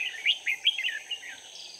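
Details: Decoy red-whiskered bulbul luring wild birds during trapping, 4 March 2019: a fast string of bright, warbled chirps fading into softer notes, set against steady high insect noise.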